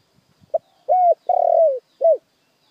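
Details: Spotted dove cooing lure phrase: faint low knocks, a brief note, then three clear coos, the middle one long, rippling and sliding downward, the final one short and arched.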